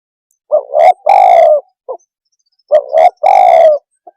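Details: Cooing of a spotted dove, known locally as tekukur, used to provoke other birds: two phrases of short rising coos ending in a long, slightly falling rolled note, with a brief soft note after each.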